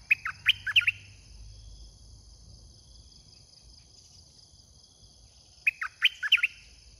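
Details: Red-whiskered bulbul kept in a cage as a decoy for attracting wild birds: a burst of quick chirpy warbled notes, a long quiet stretch with a constant high hum, then a matching burst of notes.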